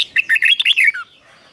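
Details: Red-whiskered bulbul kept in a cage, singing a doubled 'beun' song used to teach young birds: one rapid phrase of about seven bright, chirpy, warbling notes, ending in a short falling slur, then silence.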